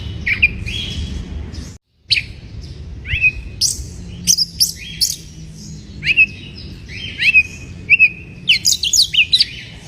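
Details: Lure song from an Oriental magpie-robin in breeding condition, intended to rouse other birds: after a short silent break, varied whistles, sharp high chips and repeated upslurred phrases follow in quick succession.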